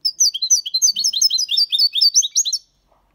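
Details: Six-month-old European goldfinch singing a clean song in the Malaga copy style, with motifs, complaints and ornaments: a fast, continuous run of high twittering, slurred notes for about two and a half seconds.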